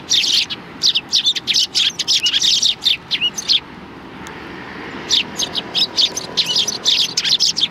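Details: Sparrows gathering for food at a Tenmangu shrine, 16 January 2020: quick runs of high chirps, a pause of about a second midway, then another rapid, rhythmic series of tweets.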